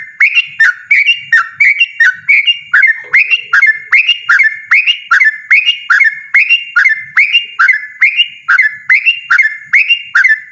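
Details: Steady, loud 'ropel' song of a yellow-vented bulbul: an unbroken run of quick, liquid, up-and-down chirps repeated more than twice a second, clear and dominant.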